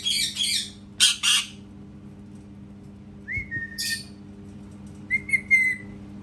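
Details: Parrot imitating cat sounds: several rasping squawks at the start, then clear whistled notes that rise and level off, each followed by brief harsh chatter, over a soft low hum.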